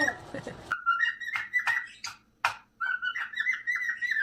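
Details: Pet cockatiel whistling: steady, tonal whistled notes with harmonics, some held and some gently wavering, broken by several sharp clicks. A short burst of mixed noise opens the recording before the whistling begins.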